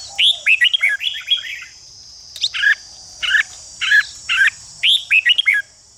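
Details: Red-whiskered bulbul singing to rouse other bulbuls into fighting song: opens with a quick warbled chatter, then evenly spaced harsh buzzy notes, closing with rising whistled trills, over a steady shrill hiss.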